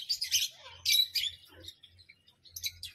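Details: Parrot giving harsh, noisy squawks in quick bursts, with a brief lower chattering note in between, then a pause and a final cluster of sharp calls; a steady low hum runs underneath.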